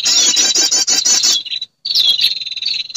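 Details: Female prinia calling to males, played as a lure to attract birds: loud, fast trilled high notes in a burst, a short pause, then thinner wavering whistled notes.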